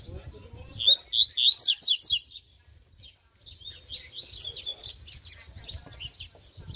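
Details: Mutant double-collared seedeater in song training: two bursts of rapid, high, sharp chirping notes, the second after a short pause, with faint low background noise.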